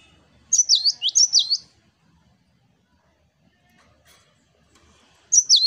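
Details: 'Wucit wucit' song of an energetic cinereous tit, locally gelatik batu, used as training material for other birds: two high, swooping double whistles, a long quiet pause with faint clicks, then the phrase begins again.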